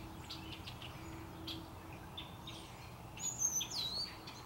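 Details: Small birds gathered atop a maple tree singing together on a cloudy, darkening early afternoon before a storm in Central Saanich near Victoria, British Columbia, Canada; scattered high chirps and twitters, then a clearer whistled phrase with sweeping notes near the end, over low background rumble.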